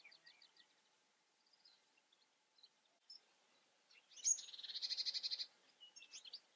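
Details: European goldfinch singing: faint high twittering notes, then a loud buzzy, rasping, pulsed phrase held for over a second, followed by more scattered tinkling chirps.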